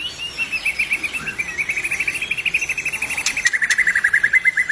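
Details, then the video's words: Song of an albino white-rumped shama: a long, steady run of rapid, evenly repeated chirping notes at a fairly constant pitch, stepping slightly lower near the end, over a light hiss. "murai BATU ALBINO udah cantik gacor pula.."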